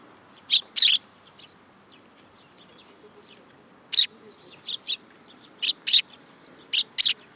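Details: Juvenile sparrows hopping onto a hand at a shrine in Japan in July 2022: bursts of loud rasping chirps, a double note, a silent gap, then a busy run of five or six quick chirps.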